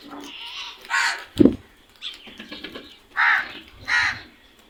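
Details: Crows caw loudly: a hoarse caw, a sharp thump just after it, then two more rough caws about half a second apart.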